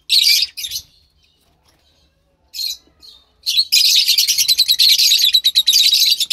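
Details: A pair of lovebird chicks, likely pastel white and pastel light green, recorded March 3, 2021. A few rough squawks and a long gap are followed by a loud, continuous, buzzy chatter of rapid pulses lasting nearly three seconds.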